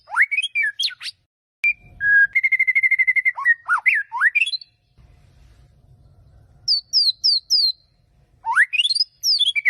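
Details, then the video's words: Warm-up song of a white-rumped shama, mixing rising whistled sweeps, a level held whistle, rapid repeated high slurred notes and steep upward glides separated by short silent gaps. "Buat pemanasan murai"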